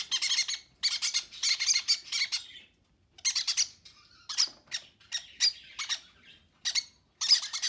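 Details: Baby conures begging while being fed by their parents, recorded on February 6: harsh, buzzy, rasping squawks in rapid clusters of short pulses, broken by brief pauses, with no other clear sounds.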